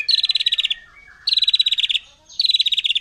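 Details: Wild forest white-rumped shama firing off provoking song: three buzzy, rattling high trills, each lasting under a second, separated by short gaps with faint softer notes.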